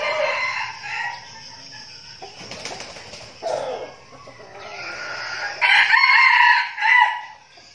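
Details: Decoy red junglefowl flock rehearsing before a forest trip. Crows from several birds overlap, with a rustle or wing flutter in the middle. Two loud, harsh crows close the sequence.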